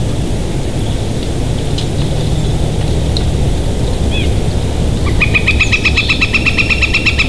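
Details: Bald eagles of a nesting pair at Big Bear Valley, 7 March 2023 around 11:33, caught on a nest camera: a faint early note, then a rapid chattering series of high, piping calls over steady loud wind noise.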